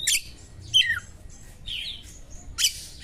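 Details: Oriental magpie-robin song of borrowed small-bird phrases, used to rouse another magpie-robin: a harsh raspy burst, a falling whistled slur, soft warbling, and another high rasp near the end.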